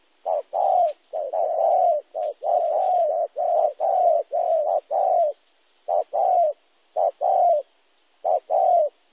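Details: Spotted dove recorded in Kon Tum, Vietnam on 26 January 2016, a local wild-caught bird; a long rapid sequence of low coos, many short evenly spaced notes, then sparser pairs after a brief pause.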